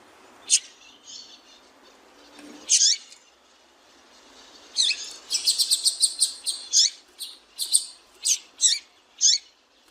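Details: Female double-collared seedeater call for exciting a male: a lone sharp chirp, then a louder note, then a rapid run of high twittering chirps easing into spaced single notes, over faint background hiss.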